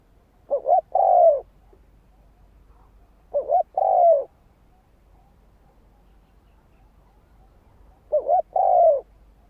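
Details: Spotted dove song used as a lure for a decoy bird: three separate phrases several seconds apart, each a double stutter of short coos and then a longer dropping note, over a faint hum.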